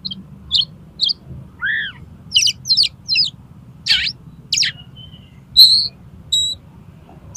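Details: Oriental magpie-robin song used as a master and lure for contest birds: varied separate phrases of high whistles, a drooping two-part note, sharp chips and clear sustained whistles, spaced by short pauses.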